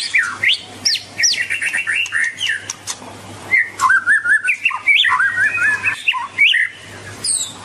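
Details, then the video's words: Melodious White-rumped shama song, rich and varied: rapid upslurred whistles, rolling warbled runs and quick chattering notes in a continuous flowing stream, with a faint low hum. "Kicauan Merdu Burung Murai Batu"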